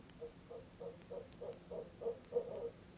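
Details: Barred owl pair at a nest box, October, 7pm, calling out of season; evenly spaced hoots, about three per second, swelling louder toward the end of the run.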